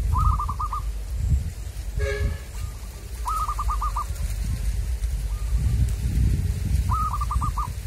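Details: Local zebra dove (perkutut), the kind caught wild by luring. It sings three phrases of rapid staccato, bubbling coos, five or six notes each, about every three to four seconds. A brief harsh call sounds once, over a low outdoor rumble.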